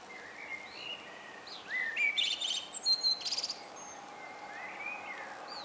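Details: Common blackbird singing in the morning: faint, mellow fluted phrases, then a brief burst of thin, high twittering notes, over a steady hiss of background noise.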